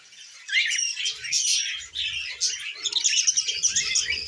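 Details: Pet female budgerigar, tame, starting softly then breaking into loud scratchy warbling and chirps with interspersed whistles.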